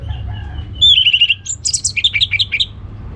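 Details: Orange-headed thrush singing ngeplong gacor, played to coax quiet birds at home into song. Short sequence: a fast clipped trill, high squeaky notes, then a lively run of bouncing chirps.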